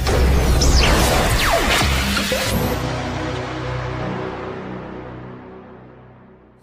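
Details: Electronic music with deep bass and sweeping whooshes, one sharp rising swoop near the middle, then a long fade to quiet; no animal voice is heard.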